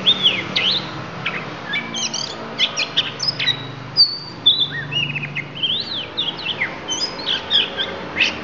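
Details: Lampung oriental magpie-robin pouring out isian phrases: a dense, lively run of sharp high chirps, long pure whistles and rising and falling slurs, against a soft low hum.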